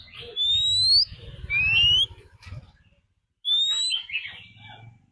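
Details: Oriental magpie-robin decoy giving a fighting song alongside a wild female's call to excite other birds. Loud rising whistles are broken by pauses and softer warbles, over a steady low hum.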